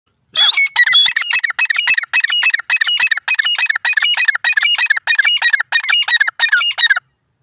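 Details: Grey francolin, known locally as teetar, giving a loud, harsh, squeaky phrase that repeats about twice a second in a steady run of roughly thirteen bursts, with no other clear sounds.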